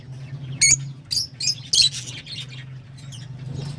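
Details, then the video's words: Lovebird giving shrill, sharp high chirps in short bursts, about four bursts spaced roughly half a second apart, over a steady low hum. "تغريدروز/صوت روز /Love Bird Sound"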